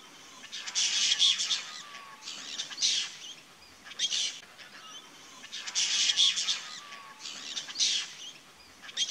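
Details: Apostlebirds chattering in the Australian bush as the social flock tries to drink at a small creek: repeated raspy, hissing bursts in clustered runs about every second or two, rising and falling in loudness.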